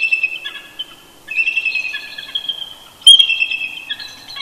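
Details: Early-morning duet by a mated eagle pair perched close to their nest at Big Bear Lake, California, on a Sunday in November; bursts of shrill, giggling chirps in two phrases, the second starting loud and tumbling down.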